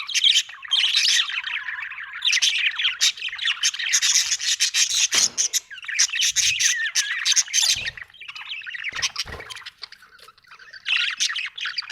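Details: Budgie chirping happily, a continuous scratchy warble of rasping chatter and squeaky chirps, loud and dense, with a few faint low knocks in the background.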